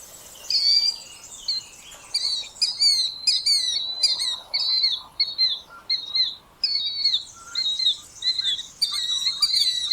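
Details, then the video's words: Killdeer (Charadrius vociferus), a large North American plover named for its call: loud, shrill, high notes in quick repeated bursts, some rising and some falling, with brief pauses between runs. "Canto do Killdeer"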